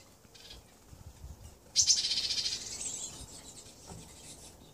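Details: A yellow-cheeked tit (Parus spilonotus rex) with its whole family together, in 2016, gives a rapid, high, thin chatter of notes lasting about a second and a half that then fades, over quiet background hiss.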